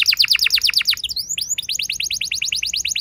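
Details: Canary song used as a lure to set other canaries singing long rolls: rapid repeated down-slurred notes, about seven in the first second, then upward sweeps and a fast, steady train of short chirps.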